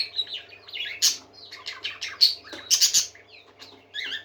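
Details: Happy parakeets in full chorus, overlapping fast twittering warbles and bursts of harsh chatter, busiest near the middle, over a faint electrical hum.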